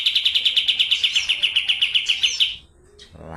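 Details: Kapas tembak (pied triller) of the Medan type, a newly arrived bird in full song, delivering a fast rolling trill of sharp, high repeated notes, about eight per second, for two and a half seconds, then stopping, with a brief rustle at the end.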